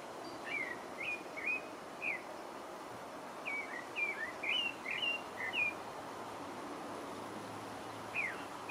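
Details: Song of the pale-breasted thrush (Turdus leucomelas), French Guiana: clear whistled phrases in two groups, each a short rising or falling slur, then a quiet gap before one final note.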